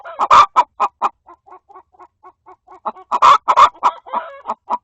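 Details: Hens in a coop, one appearing to scold a hen trying to lay an egg: loud harsh squawking clucks open and close the stretch, with softer quick clucks between, steady and rhythmic.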